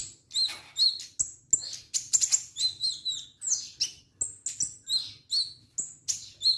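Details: Energetic song of an orange-headed thrush: rapid, varied high whistles, squeaky slurs and clicks repeating in short bursts, almost without a break.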